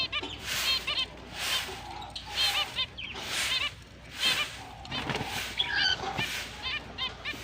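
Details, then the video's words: At the start of the mating season, October 29, 2023, finches keep up a chatter of small nasal beeping chirps, while loud airy hissing bursts recur roughly once a second. "Finch is breeding start Mating Season, Happy chirping sound"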